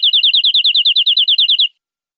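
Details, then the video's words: Canary song from a recording for tutoring young birds: a quick two-second string of about fifteen bright, evenly spaced, warbling notes that stops cleanly. "MASTERAN BURUNG KENARI PANJANG"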